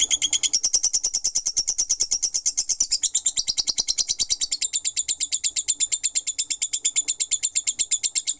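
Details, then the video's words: Lovebird performing ngekek, a long unbroken chatter, made of sharp high-pitched clicks and squeaks at about three a second, steady and relentless from start to finish. "Love Bird Ngekek 5 Menit Non Stop"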